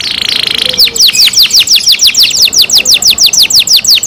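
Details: Kept canary singing: a buzzy trill opens the phrase, then a long run of loud, rapid down-slurred whistled notes, about three per second, all high-pitched and clean with no other sounds.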